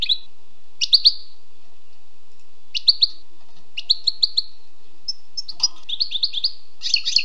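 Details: Wild European goldfinch singing: bright, tinkling twitters and buzzy trills around high pitch, delivered in short bursts separated by pauses, ending in a denser run of chattering notes; background otherwise quiet.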